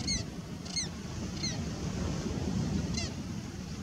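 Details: Pied avocet, an adult with chicks, giving four clear, fluty 'kluit' notes at uneven intervals over heavy wind and surf rumble.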